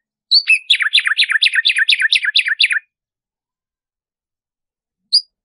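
A Black-striped Sparrow sings a quick run of bright, down-slurred notes, then adds one more after a pause.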